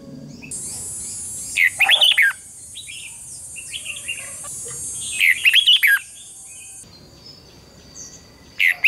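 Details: Red-whiskered bulbul singing a competitive song, used as a lure for training birds: two clear warbled phrases of quick slurred whistles a few seconds apart, then the start of a third, over a steady high hiss like insects.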